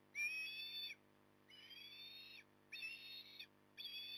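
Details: Four long, piercing whistled calls from an osprey at its nest near Port Lincoln on the morning of 9 October 2020, the second softer and rising gently, spaced under a second apart, with a faint hum behind.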